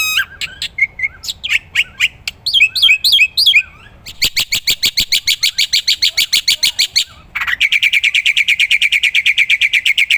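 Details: Black-winged myna singing actively for a training recording used to tutor other songbirds: sharp chirps and twisting whistles, then a fast train of clicks and a long, rapid buzzy trill repeated about three times per second.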